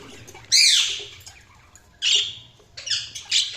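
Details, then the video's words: Budgerigar chirping: three harsh, scratchy high squawks, the first long and loud and fading off, followed by shorter bursts after a pause, in a quiet indoor setting. "Budgies Chirping sound"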